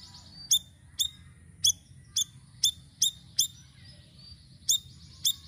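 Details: Sirisiri singing to lure birds: a string of crisp, very high, clipped chirps repeated about every half second, with a faint steady high whine beneath and a soft hiss in the background.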